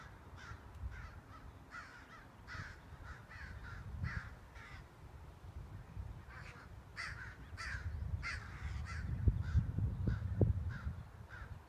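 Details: Two large crows harass and chase away a hawk with a three-foot wingspan from their colony; repeated harsh caws, roughly three per second in irregular runs, over low rumbling noise that swells toward the end.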